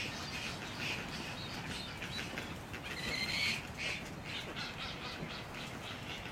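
A vermilion flycatcher gives a few sharp, high chirping calls, loudest around the middle, over a steady background hiss and low rumble.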